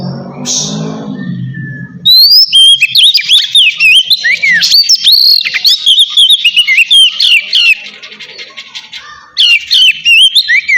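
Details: Oriental magpie-robin in easy 'ngeplong' song for stirring silent magpie-robins: after a low rumbling start, a long run of loud, fluty whistles, slurred swoops and fast chattering notes, pausing briefly before resuming.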